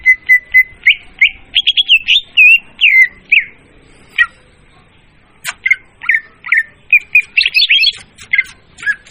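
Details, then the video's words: Loud leafbird trapping lure: rapid bursts of crisp whistled chirps and twisting slurred notes, a brief gap, then more sharp clicks and bright varied phrases. "suara pemikat burung murai daun||suara jernih dan volume keras."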